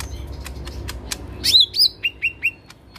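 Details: Lesser green leafbird delivering harsh 'tembakan kasar' shots: a loud slurred whistled phrase dropping in pitch, followed by three shorter falling notes in even rhythm, against faint clicks.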